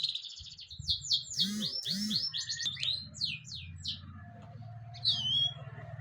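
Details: European goldfinch song: a rapid stream of high, tinkling twitters and slurred chirps through the first three seconds, later thinning to isolated notes over a steady low hum and a couple of deeper arched sounds.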